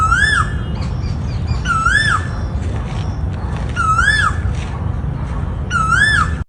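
Asian koel giving four loud, whistled notes that swoop up and fall back, repeated about every two seconds over a steady low rumble.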